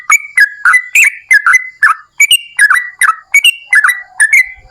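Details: Yellow-vented bulbul singing hard as a lure to make other bulbuls respond: jerky, liquid whistled notes in quick irregular groups, some falling and some holding level, with brief pauses between groups.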